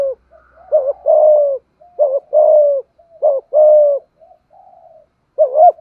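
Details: Malaysian-strain spotted dove giving its 'thúc gù' driving coo: a series of low phrases, each a quick wavering double note followed by a long, steady, slightly falling coo, with faint soft murmurs between phrases.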